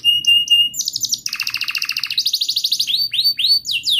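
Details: Rolling canary song played to teach a young canary and prompt a quiet one to sing: short whistled notes, then fast pulsed trills at two pitch levels, ending with repeated swept chirps.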